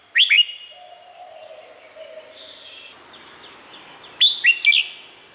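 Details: Red-whiskered bulbul in Thailand, a song for playing to other birds to rouse them: two short bursts of rising whistled notes at the start and end, with fainter softer tones and a low hum between them.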